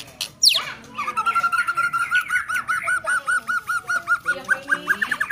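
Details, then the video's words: Sharp high sweep from a White-rumped shama, then a long even series of quick, clipped notes repeated at a steady pace, with faint chatter behind. "Lagu & Gaya Keren Murai Batu"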